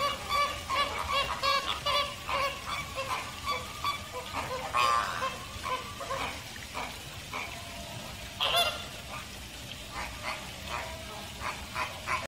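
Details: American flamingo flock calling at length, a steady run of short nasal honks about two or three per second, with a few louder harsh calls rising above the chorus.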